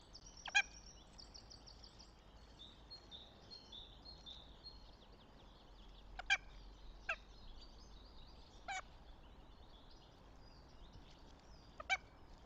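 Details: Northern goshawk at the nest, Tartu, Estonia, 26 April 2025: single harsh, clipped calls spaced several seconds apart, five in all, while small birds sing thinly in the background.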